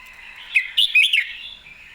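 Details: A single quick, lively phrase of about four slurred warbling notes from an excited Red-whiskered bulbul in full clear voice.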